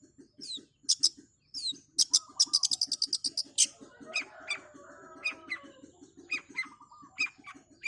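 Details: Long-tailed shrike singing fast: swooping high whistles, then a rapid rattle of sharp high chips, followed by softer scratchy notes, over a steady low pulsing beat.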